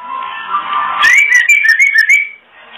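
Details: Female oriental magpie-robin uttering its kretekan, intended to bring males into breeding condition: a rapid run of wavering whistled notes mixed with fast crackling clicks, following a softer murmuring stretch.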